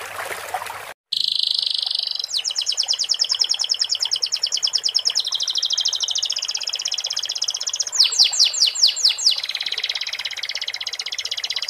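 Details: Canary song filled with sikatan londo phrases, sung with pauses: a brief noisy start, a high buzzy tone, then a long rapid rattling trill broken by a run of steep falling sweeps.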